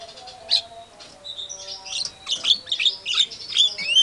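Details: White-rumped shama (murai batu) in full song, used as a lure recording to make other shamas answer aggressively; rapid bright whistled and chattering notes in quick bursts, louder and denser in the second half, with a faint steady hum behind.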